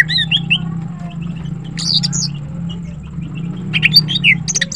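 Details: Morning song of a female green cucak, or greater green leafbird: scattered short whistles and warbled notes in loose clusters at the start, middle and end, with a steady low hum underneath.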